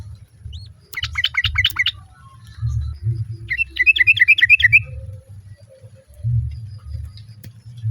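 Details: Two bursts of fast, repeated chattering notes from a female sooty-headed bulbul calling the male, other birds answering, with a few soft thin notes afterward and a low background rumble.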